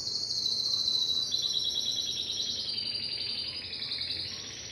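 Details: Timbrado canary delivering a long, unbroken, high trill that steps gradually downward in pitch, then lifts again near the end. The rapid pulses give a rolling, metallic texture.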